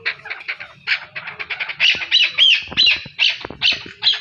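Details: Chakor calls from Pakistan: soft chattering notes build into loud, ringing, slightly whistled chuck-ar phrases repeated about every half second.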